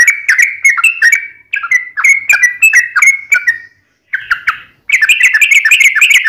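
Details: Tarung ngalas ropel, a fighting-style wild rapid song of the yellow-vented bulbul (trucukan): rhythmic slurred whistles repeated quickly, a short break, a few notes, then a dense, bright chattering burst to the end.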